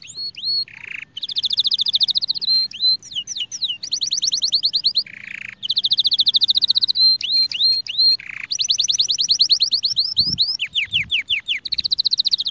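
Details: Spanish Timbrado canary singing, a training song for tutoring young birds and stirring breeding birds: rapid high trills alternate with upward-sweeping whistled notes and brief lower buzzy bursts, in long unbroken phrases.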